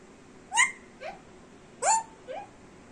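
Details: Indian Ringneck parrot kept as a pet, talking: four short, nasal, word-like syllables in two pairs, each pair a louder rising syllable followed by a softer one, in a quiet room.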